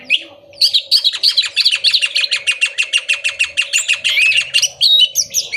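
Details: Orange-headed thrush song used to stimulate birds not singing or in moult: a rapid, steady series of sharp high notes, about three per second, closing with twisting whistled slurs.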